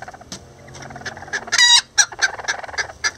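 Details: Miniature Lavender Bantam roosters and a hen at work on a nest together: quiet scattered clucks, one loud harmonic squawk in the middle, then a quick series of sharper clucks.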